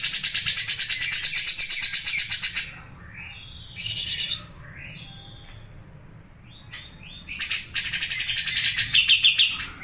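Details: Grey-cheeked Bulbul giving a rapid, dry rattling chatter likened to a sewing machine, in fast sharp bursts, with clear whistled notes in between.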